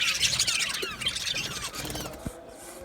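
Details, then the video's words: Colony of Australian budgerigars in an aviary, many birds chattering at once: dense overlapping high chirps, squeaks and warbles, busiest in the first second, then slightly thinner toward the end. "Budgies chirping sounds"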